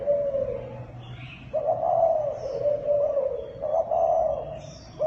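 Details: A Thai dove producing a kích bổi call: a falling coo, a short pause, then a long wavering rolling phrase that rises and falls, with faint high chirping in the background.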